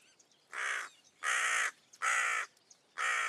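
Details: Hooded crow (Corvus cornix), a Russian forest-edge bird, gives four harsh, hoarse caws, each about half a second long, spaced roughly every three-quarters of a second, in a quiet background.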